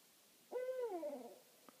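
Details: Owl at night in a meadow behind a house, perched on a branch and responsive to a second owl nearby, gives one hooting note under a second long, level then sliding down, followed by a faint click.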